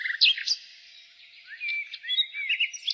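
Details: Spring song of a nightingale, short varied phrases of bright slurred whistles and quick chirps rising and falling, over a continuous dense background of other high bird twittering.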